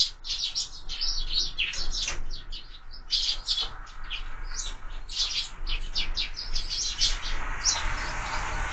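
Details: Feeding sparrows at a window feeder: dense, rapid chirping in overlapping bursts, growing into a hissy wash of sound near the end, likely wing flutter or movement at the feeder.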